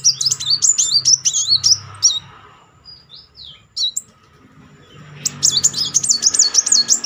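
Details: Rolling trills of a Kolibri Muncang sunbird used to provoke singing in a bird that has stopped. Rapid high looping notes run for two seconds, a quiet gap with faint chirps follows, then another long rolling burst.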